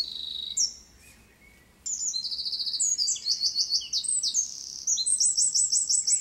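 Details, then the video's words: Eurasian wren song: a loud, rapid high-pitched torrent of trills and sharp notes, with a long clear whistled note at the start, a brief pause, then fast repeated trilled phrases. "Strzyżyk, Troglodytes troglodytes - Winter Wren (Wren)"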